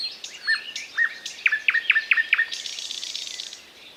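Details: Thrush nightingale singing: a series of short, sharp, whistled notes repeated about every quarter second, rising in loudness, then a dry buzzy rattle that fades out.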